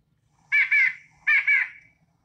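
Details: White-breasted Nuthatch yank call from southern Wisconsin: nasal, tinny "yank" notes in two quick doubled bursts, about a second apart, in an otherwise quiet setting.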